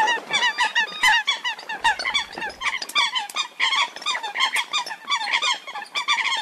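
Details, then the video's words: A female Eurasian coot separated from her flock, calling for help: rapid, overlapping nasal honking notes, several per second, busy and insistent throughout, with no other sounds. "Tiếng Sâm Cầm Mái Kêu Cứu Lạc Bầy"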